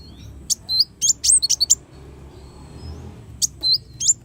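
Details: Brown-throated sunbird, locally kolibri wulung, singing for a songbird-training master recording: short bursts of piercing, high slurred chirps, a quiet gap, then a few more notes over a low background hum.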